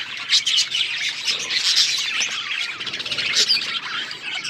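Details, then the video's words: A flock of budgies chirping together, a dense overlapping chatter of high warbles, chirps and squeaks with no pauses. "Beautiful budgies parrot chirping sounds"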